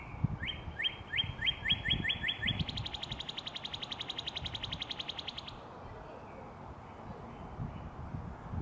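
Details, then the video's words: Cardinal song starting with quick upward-sweeping whistles, then breaking into a long, fast, even trill lasting about three seconds before stopping. Low rumbling background noise throughout, with faint other bird notes afterward. "Birdsong. The cardinal is one of the most beautiful songbirds in the world!"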